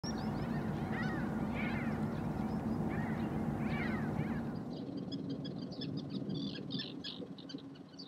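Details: At Axios National Park, Greece, in April 2024, common terns give harsh, grating calls that rise then fall, about one a second, over heavy wind rumble. A chorus of fainter, higher chattering calls follows.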